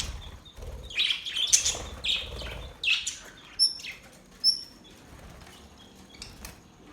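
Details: Budgerigars, described as happy, give scattered short chirps and a few clear whistled notes, some rising, in loose bursts over several seconds, with soft wing flutters and low background rumble.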